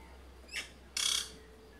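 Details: Black-chested jay (Cyanocorax affinis), one of a pair courting and building a nest atop a forest tree: a short, thin note followed by a harsh, rasping burst of about a quarter second, courtship sounds, over a faint background hum.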